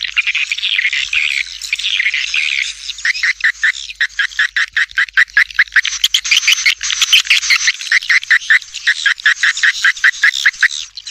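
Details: Edible-nest swiftlet lure calls used to draw swiftlets at feeding areas and flight paths, mixed with stereo supporting sounds: dense buzzy twittering, then a fast, uneven string of sharp repeated chirps, roughly two or three each second.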